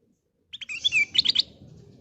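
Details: Sooty-headed bulbul used to prompt other birds to sing: a quick, bright sequence of whistled notes ending in three fast, sharp chirps, over a soft low rumble.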